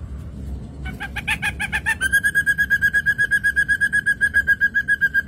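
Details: Ashy drongo in lively song for a lure recording: a few harsh chattering notes, then a steady, rhythmic series of lower, whistled pips about four a second.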